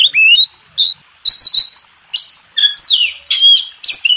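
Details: Oriental magpie-robin master song from a champion contest bird: separate bursts of bright whistles and harsh chips, each about half a second, with short silent gaps between them.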